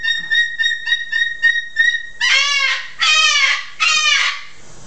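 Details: A rescued cockatoo, a feather-plucker, screaming loudly, which is normal for the bird: a quick run of shrill, even notes, then three loud, harsh screeches, each about a second long and sliding downward.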